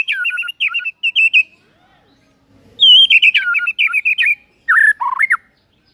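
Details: Morning lure of white-rumped shama song with varied material: loud phrases of jerky, warbled whistles that jump between high and lower pitches, separated by short pauses.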